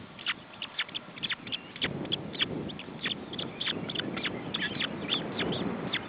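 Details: Osprey chicks at their nest while being fed, June 2012: rapid, sharp, high chirps repeated several times a second in uneven bursts, over a steady low rumbling background.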